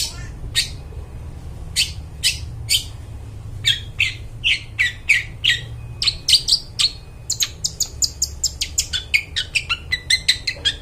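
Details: Long-tailed shrike in lively, clear song for attracting wild birds in forest: sharp, dry click-like notes at first, well spaced, then speeding into a rapid chattering run of crisp, high notes, with a quiet low hum throughout.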